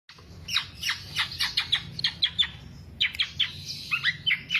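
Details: Black-naped oriole (kepodang) singing in the 'kicau sampe teler' style, used as a lure or master recording for songbird keepers; quick series of sharp, descending chirps, then bursts of squeaky, varied notes after a short pause.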